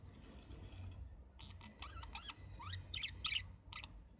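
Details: Budgerigars giving quick, scratchy, frequency-sweeping chirps in a rapid irregular sequence, with a faint low hum in the background.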